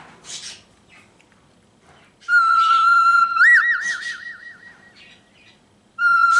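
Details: Cockatiel kept as a pet gives a bright held whistle that breaks into quick rippling trills, then resumes the steady note after a pause, with faint chirps before it starts.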